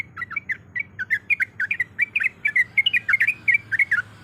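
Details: Sooty-headed bulbul, a female in breeding condition calling to the male, used as a lure: rapid run of short squawky chirps repeated about five times per second, wavering between high and mid pitch, with a faint low hum beneath.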